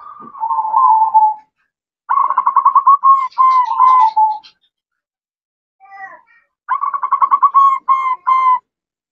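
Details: Chatty female zebra dove calling the male, using ngerot, nretek and manggung styles; a drawn-out wavering coo, then two bouts of rapid bubbling pulsed notes with clear gaps between them.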